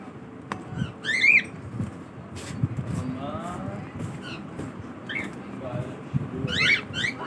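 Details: In a morning routine, a cockatiel gives two sharp, rising squawks about five seconds apart, with soft indoor room noise and faint murmuring in between.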